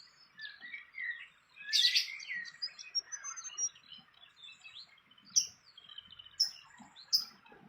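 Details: Wild fantail near its nest; sharp high chirps and squeaky twitters, with a loud brief rustle early on and several crisp clicks later.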